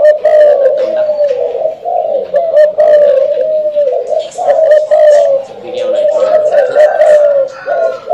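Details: Spotted dove sent by a customer in Saigon, Ho Chi Minh City, cooing repeatedly: loud low hooting coos in steady phrases, with human voices in the background of a small room.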